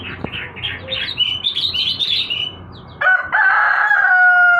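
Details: Sooty-headed bulbul sunned in the morning, giving a bubbly run of quick warbled notes for over two seconds, then a loud rooster crow cuts in with steady background hum.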